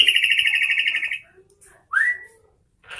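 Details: Kutilang, the sooty-headed bulbul, giving a rapid buzzy chattering trill for about a second, then after a quiet pause a single loud whistle that sweeps upward.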